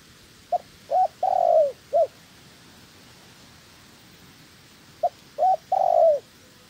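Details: Spotted dove kept as a trap decoy in training, giving two cooing phrases, each two short clipped notes, a long purring coo sliding downward, then a final short note, with a pause of about three seconds between phrases.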